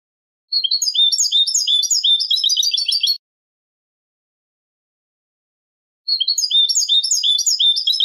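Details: Eurasian goldfinch singing a Malaga-style song from a tutoring tape for goldfinch chicks and hybrids; two fast, dense bursts of bright twittering and tinkling notes, each about two and a half seconds, separated by a long silence.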